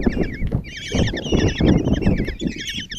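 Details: Kestrel chicks in a Hungarian nest box at Tiszalök, five young fed by their mother on a June 2024 morning; quavering, trilled squeals crowd together in rapid overlapping bursts, with soft thuds and shuffling beneath.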